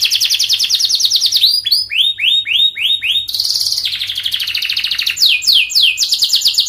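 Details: Fast canary song for tutoring young canaries: rapid high trills, a series of five looping downslurred notes, then rolling trills and quick sweeping phrases.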